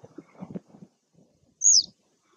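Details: Single high, thin, falling call of a citrine wagtail, recorded 2 May 2021 at Taglio di Po (RO), following soft low rustling.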